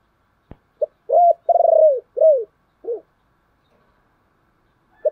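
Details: Decoy spotted dove calling: a sharp click, then a single phrase of short note, rising-falling coo, long quavering coo, descending coo and lower closing note, with one more short note after a pause.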